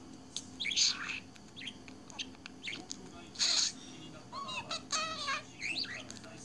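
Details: A pet budgerigar absorbed in its own world, mixing scratchy broadband bursts with wavering, warbled notes that wobble up and down, inside a room.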